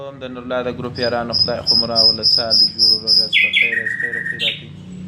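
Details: Rhythmic repeated notes, about six evenly spaced high chips, then a sliding falling whistle and a long steady tone; song of a common nightingale.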